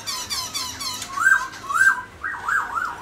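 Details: Pet Black-throated laughingthrush singing: a fast buzzy rattle of notes, then clear whistled phrases that swoop up and down, ending in a wavering warbled run.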